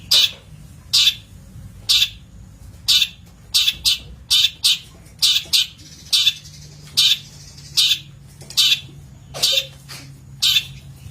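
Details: Long-tailed shrike on a master recording for training birds, uttering loud, rasping, harsh notes, single or in close pairs, repeated steadily throughout.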